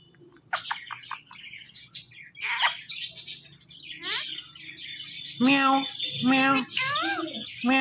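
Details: Pet Indian ringneck parakeet, a male, talking: scattered short clicks and chirps, then three loud, nasal, speech-like syllables with rich harmonics, each about a second apart, mimicking words in a quiet indoor setting.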